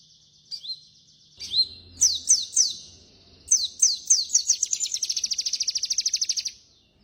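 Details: Song of a sooty-headed bulbul. A lone whistle is followed by repeated sharp downslurred notes, then a long, even, rapid trill held for about a second and a half.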